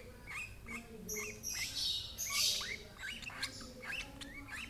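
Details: Lovebird fed by an older sibling from the same parents, giving wavering, upward-bending squeaky calls and short squawks, mixed with hissy rustling bursts near the middle.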